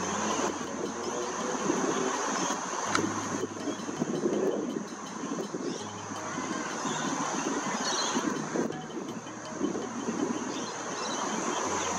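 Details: Steady rumbling, hissing mechanical noise like a passing train, with a constant high whine and low hum and no animal calls.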